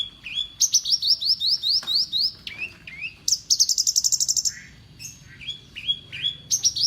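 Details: Horsfield's bush lark in champion tuning, adept at copying other birds, sings rapid series of rising high chirps, a dense trill, then lower whistled notes and more quick rising phrases.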